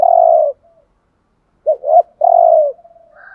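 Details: Caged decoy dove in thúc gù cooing: one long, level, hollow coo, a pause, then a quick pair of clipped rising notes leading into another long falling coo, followed by faint trailing murmurs.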